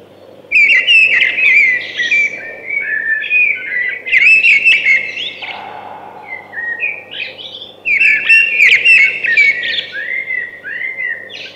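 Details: Song of a thrush: three loud bursts of tumbling, warbled whistles and trills, each a few seconds long, with softer linking notes and a brief low hum between.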